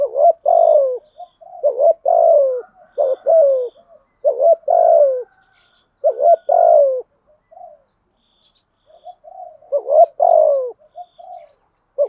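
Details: Decoy cooing by male and female spotted doves, meant to make other doves coo; a long series of about eight mellow two-part phrases, gently falling coos with quieter short notes between, then a brief pause.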